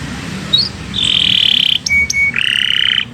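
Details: Canary song for training other birds: sustained level trilled tones and a thin whistle over a steady low background hiss, with a short buzzy roll at the end.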